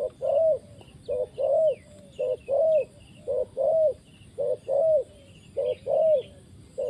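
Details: Spotted dove kept as a trapping decoy, cooing steadily with soft, rounded notes alternating short and longer, about eleven in seven seconds, over faint low background hum.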